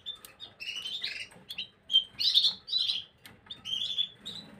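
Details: Gloster canary recorded on 9 January 2023. It sings warbled phrases of short chirps and rolling notes at a fairly high pitch, in bursts separated by brief pauses, with faint clicks and fluttering in the background.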